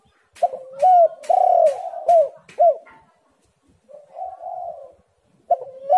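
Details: Spotted dove used as a lure to prompt lazy birds into calling: loud, low cooing phrases with rising-then-falling notes and one long drawn coo, a pause, then softer coos; sharp clicks sound throughout.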